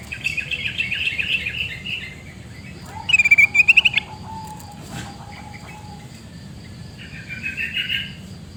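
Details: Sooty-headed bulbul shrieking calls in Pidie, Aceh, Indonesia: bright chattering bursts at the start, then a sharp rising rattle of quick notes, and a softer chatter near the end, over a steady low background hum.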